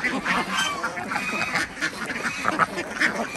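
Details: Many Desi ducks kept on a village farm in Andhra Pradesh, heard while eggs are gathered in the morning; separate nasal quacks overlap in an uneven chorus, and some calls rise above the rest.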